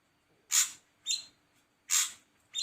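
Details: Ashy drongo alternating loud, harsh, hissing notes with shorter buzzy calls that carry a whistled tone, about two per second.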